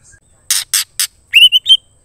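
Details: Female White-rumped shama calling to a male, giving three loud harsh rasping bursts then three short rising whistled notes in quick succession.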